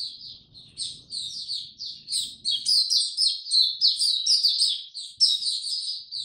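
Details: Warm, very humid day; a white-eye delivers a lively, rapid twittering song of high, sharp chirps, about four notes a second, becoming louder and more elaborate partway through.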